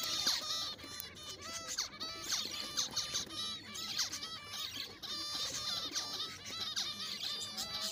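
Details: Zebra finches in a small breeding colony of six pairs, courting; dense chorus of short nasal honking calls and chattering notes from many birds at once, overlapping continuously with faint background noise.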